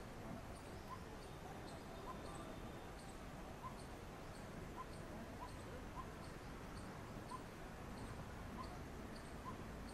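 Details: Pair of Coppersmith barbets heading off to feed their chicks, recorded from a house rooftop: soft hollow single tuk notes repeated steadily about every two-thirds of a second, with faint high ticking and a constant low background rumble.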